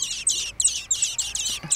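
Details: Several young common blackbirds calling: shrill, rasping high-pitched notes in short clustered bursts, about four bursts in under two seconds, with little background noise.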